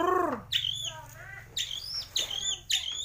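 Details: Murai batu gembung, the Bornean white-rumped shama of Kalimantan, mimicking swiftlet, sparrow and lovebird: one loud harsh nasal squawk, then several thin high whistled upslurs separated by short pauses.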